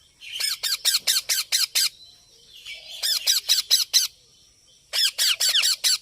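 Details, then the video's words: Green parrot screeching in three bursts of six or seven rapid, evenly spaced harsh notes, with quiet gaps between bursts. "Mithu Ki Awaj"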